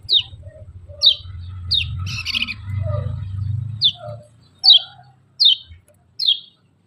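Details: Scaly-breasted munia calling with thin, high, descending 'ciak' chirps, eight in seven seconds, over a low rumbling hum and a burst of scratchy noise during the first half, then quieter.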